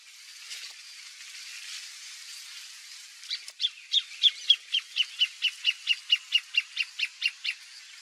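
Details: Wild greater thornbird song: after three seconds of quiet background hiss, a run of about eighteen bright, evenly spaced chipping notes, some four per second, holding a steady pitch and loudness to the close.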